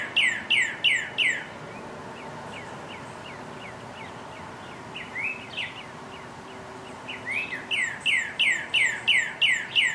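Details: Northern cardinal's spring mating song: bursts of rapid rising whistles about three per second, fading to softer repeated notes mid-phrase, then swelling again into a long loud run, with steady background rumble.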